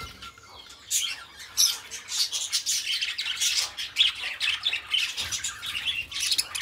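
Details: Companion budgerigars in steady, busy song, a nonstop stream of raspy buzzes, clicks and shrill chirps, growing denser and louder toward the end.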